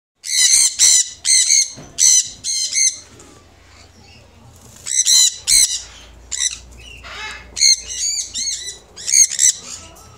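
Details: Baby conures in an Arizona bird store screaming during the screaming hour: loud, harsh, shrill squawks repeated in clusters, with a lull of soft background hum before the screeching resumes.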